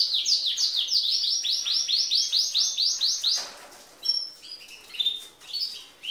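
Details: Female canary singing in the manner of a male, said to excite males: a fast train of about a dozen repeated downward slurred notes, followed by scattered short chirps and pauses.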